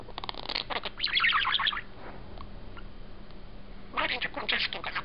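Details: Cheerful young male budgerigar, a house bird sitting on its owner's shoulder, mutters quietly: two bursts of fast, gritty chattering separated by a pause of faint murmuring.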